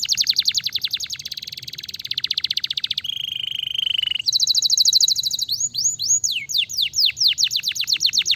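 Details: Canary song, described as stimulating, made of fast high trilled tours: rapid repeated chirps, a steady buzzy roll, then quick drawn-out whistled notes sweeping downward, loud and bright throughout.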